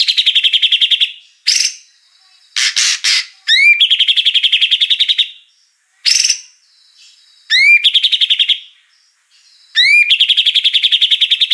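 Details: Magpie-robin song from a 2021 training recording: long rapid trills of high clipped notes alternating with harsh rasps and sharp rising whistles, the pattern repeating several times.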